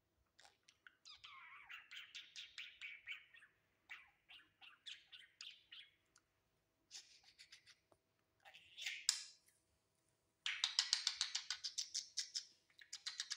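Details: Pet budgerigar on a new perch, chattering in bursts of buzzy, warbling chirps and rapid scratchy trills, with short pauses between phrases.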